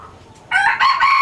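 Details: A brief burst of the opening of a rooster's crow: a captive Laos-strain hybrid red junglefowl breeder bursts into loud, raspy, broken notes after a faint thin tone.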